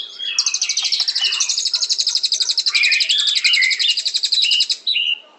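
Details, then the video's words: White-rumped shama (murai batu) singing: a dense, rapid high trill of evenly repeated notes lasting about four seconds, with lower whistled phrases woven underneath, ending in a short slurred whistle. "Beautiful Birds Chirping Murai Batu"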